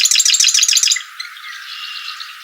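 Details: A red-winged blackbird calling in the background gives a fast, high, chattering burst of repeated notes lasting about a second, then fades to a faint background wash.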